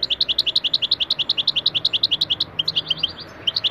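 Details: European goldfinch lesson song used to tutor pet goldfinches; a steady, rapid series of bright tinkling chirps, roughly four per second, briefly pausing before resuming.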